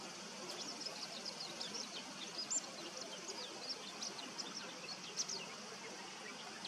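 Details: Male bull-headed shrike giving subsong (guzeri): a soft, rambling string of short, high chirps and twittered notes at irregular intervals, with a few louder accents near the middle and end, over a steady background hiss.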